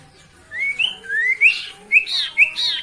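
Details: Sooty-headed bulbul song used as a lure to provoke rival birds into lively gacor singing: clear whistled notes sliding upward, then brighter rising phrases after a short pause, over faint low background hum.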